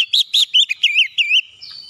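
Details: Short energetic phrase from an Oriental magpie-robin used to trigger singing in other birds: clipped loud notes at first, then a rolling warbled sequence of rising and falling whistles fading into a thin high note.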